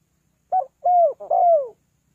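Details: Spotted dove calling birds down, three-kuk-hoi style: a short coo, then two longer mellow hoots that slide gently downward, delivered in quick succession against silence.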